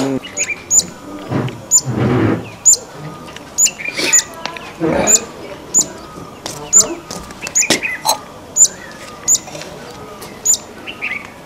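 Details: Streaked laughingthrush (Trochalopteron lineatum), Himalayan bird, gives sharp, high chipping notes about once a second with a few lower chirps; rustling and a brief human voice behind.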